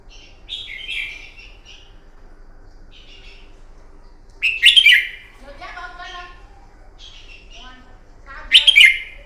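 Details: Red-whiskered bulbul fighting song for morning training: soft warbled phrases, then two loud clicky bursts four seconds apart, with a lower harmonic-rich call in between.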